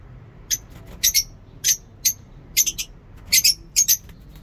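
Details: Lovebirds in a home aviary give shrill, harsh chirps in short bursts, about eleven in four seconds, with an irregular rhythm; the background is quiet.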